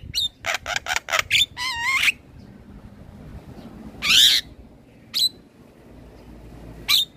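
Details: Male black-winged starling singing as a lure recording for training other birds: a rapid run of harsh upslurred notes, then a broad noisy screech and a few sharp separate whistles with quiet gaps.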